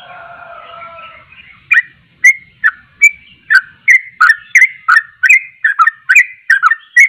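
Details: Sooty-headed bulbul beginning after a second of faint, low, wavering sound, then launching into a rapid run of loud, clipped whistles, each slurred up or down, about three a second.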